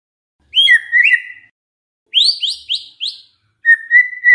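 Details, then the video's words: White-rumped shama singing, as a lure for other shamas: three short bursts of clear whistles, first a falling pair of notes, then four quick upslurred notes, then a level warbled whistle, with silence between the bursts. "SIULAN MURAI BATU INI SANGAT EFEKTIF SEBAGAI PANCINGAN MURAI BIAR GACOR"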